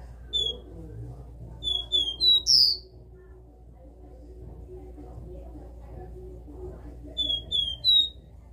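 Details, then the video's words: Capped seedeater (caboclinho), caged, classic three-note 'dó' song: two phrases of clear high whistles, each a steady note, a slightly lower one, then a bright rising upslurred final note, separated by about five seconds of low hum. "CABOCLINHO CANTO DÓ 3 NOTAS CLÁSSICO"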